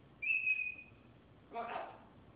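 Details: A talking pet military macaw gives one clear, steady, high whistle, then after a brief pause a short, rough, speech-like burst.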